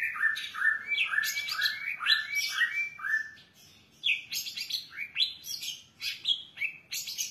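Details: Long-tailed shrike in vigorous song full of mimicked phrases: fast chattering sequences of short up-and-down notes, a brief gap, then sharper high chips and twitters.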